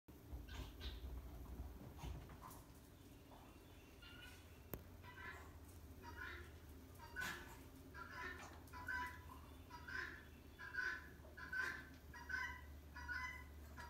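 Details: A female helmeted guineafowl, frightened by a rake placed against a wall, gives harsh, grating alarm calls in a steady series, roughly one every second.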